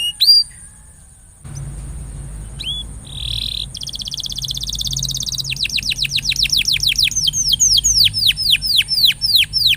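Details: Canary song intended to spur a quiet canary into regular singing: after brief whistles and a pause, a high rattling trill gives way to rapid repeated descending notes, rising in loudness.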